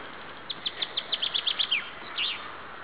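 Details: Spring nightingale song by a road along the Klyazma River: a fast series of bright, sharp, high repeated notes, roughly six per second, followed after a pause by a short rising flourish.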